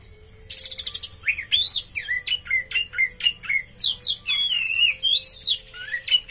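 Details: Orange-headed thrush singing continuously: an opening rattle, then a run of loud, sliding whistled notes that dip and rise, repeated at a quick, uneven pace.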